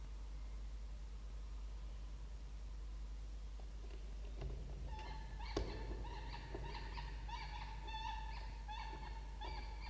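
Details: Peregrine falcons Marri and Barru on a nest camera, 23 October 2021, one giving a rapid series of harsh, nasal, ringing notes after a quiet start, with a single thump and steady low rumble behind.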